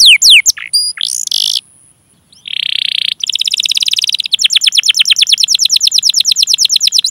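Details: Canary song played to trigger singing in other canaries: a few sharp falling notes, a buzzy burst, a short pause, then a dense rolling trill of rapid repeated chirps.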